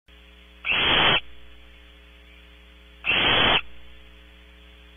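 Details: Electrical mains hum from a barn camera feed, broken twice by loud half-second bursts of static about two and a half seconds apart.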